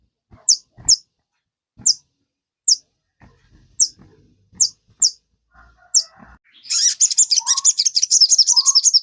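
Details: Kept sogon bird, sound used as a lure to prompt other caged birds to sing: sharp high chips spaced irregularly about every half second, then a fast, dense, buzzy trill with a few lower whistled notes.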